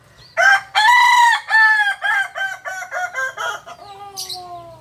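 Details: Kokok Balenggek rooster, a native chicken of Solok, West Sumatra, bred as a singing fowl whose crow can run to 19 tiers; one loud opening note followed by a falling series of shorter stepped syllables over about four seconds.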